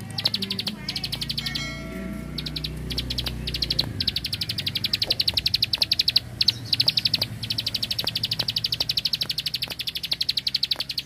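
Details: Ricefield bar-winged prinia delivering 'klik klik' bursts: high rapid ticking series that grow into long continuous runs. Another brief descending sound comes early on, with low background rumble and sharp clicks.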